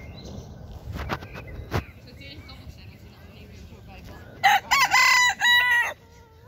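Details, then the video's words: Cochin rooster in a park giving a loud crow near the end, broken into several harsh, harmonic-rich segments over about a second and a half, after quieter clicks, distant chatter and low background rumble. "Cochin rooster crowing in park"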